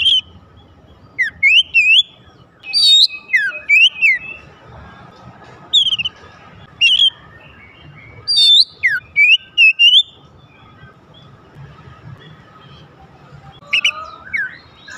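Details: Oriental magpie-robin singing to provoke others of its kind: repeated short phrases of looping whistles and sharp flicked notes over ten seconds, then a quiet spell before a final brief phrase.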